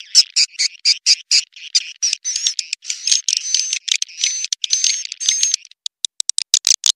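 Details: Swiftlet lure call played to attract swiftlets: rapid series of sharp, high chittering clicks in quick bursts, interspersed with thin whistled notes, ending in scattered ticks; clean with no background sound.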